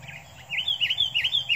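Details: Sooty-headed bulbul, a caged decoy bird fighting a wild bulbul: a quick series of bright, slurred chirps, each dipping then rising, repeated about every fifth of a second after a short quieter start, over a low background hum.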